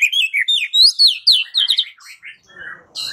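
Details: White-rumped shama song played as a lure to prompt a bird to answer and sing: rich, varied high whistled phrases with rapid rising and falling notes, ending in softer lower warbles.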